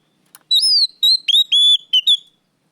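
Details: Loud oriental magpie-robin song, a lure recording: a run of clear whistled phrases, first rising and falling, then a quick series of short level and dipping whistles, about seven notes in under two seconds, with a faint click before.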